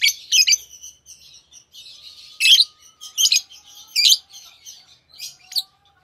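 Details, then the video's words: Continuous soft twittering with louder shrill chirp bursts every second or so, sung by a pair of green Fischer's lovebirds. "Lovebird Singing & Chirping Sounds - Green Fischer Pair"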